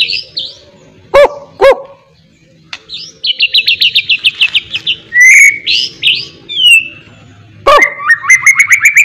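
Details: Whistled, energetic song of a white-rumped shama being trained and filled with miwah imitation: long rapid trills of high notes, clear slurred whistles, and loud broadband knocks at intervals.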